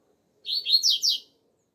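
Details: Outdoor double-collared seedeater performing the 'alegria tuí tuí zeo zeo' style of song, used as a training song: a brief, bright burst of four rapid high notes slurring downward, with a quiet background.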